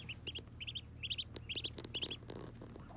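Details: Muscovy ducklings at their first bath chirp in tight groups of two or three sharp, high peeps, each group about half a second apart, with soft water noise and a low hum behind.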